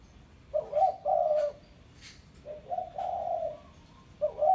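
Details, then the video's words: Spotted dove in pesom style calling to challenge a rival. Two bursts of hoarse cooing are heard, each a short note followed by a longer drawn one, with a quiet gap of over a second between them. "Suara Pikat Tekukur Pesom - Tekukur Pikat Suara Memanggil Lawan"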